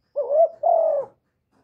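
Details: A single spotted dove coo, recorded cleanly with no other noise: a short rising, wavering note runs straight into a longer, steady, slightly falling hooting note, then silence.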